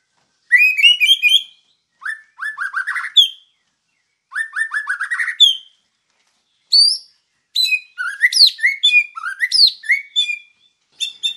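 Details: Singing white-rumped shama used as a master recording to tutor other birds: clean repeated upslurred whistles in rapid series, then varied sharp chirps and downsweeps in the later half, with short silences between phrases.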